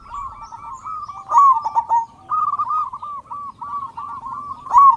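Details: Actively singing local zebra dove used to stimulate silent doves: soft bubbling coos lead into a louder rolled burst, then a run of evenly spaced short coo notes ending in another strong accent.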